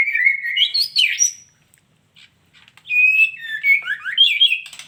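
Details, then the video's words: Female white-rumped shama giving a clear whistled phrase that rises and falls, then a short pause before a second run of bright, sliding whistles and trills. "suara burung muray batu betina"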